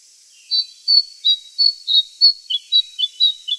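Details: Andaman bulbul, a bird endemic to the Andaman Islands: a series of about ten short, thin, high chirps given roughly every third of a second, some notes slightly slurred or doubled, against a quiet, steady hiss.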